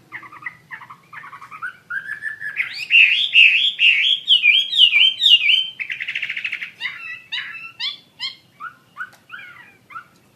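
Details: Chinese hwamei (wambi mandarin) singing actively: soft paired chirps open, then a loud run of rapid rising-falling whistled notes, followed by varied sharp slurred phrases with brief pauses.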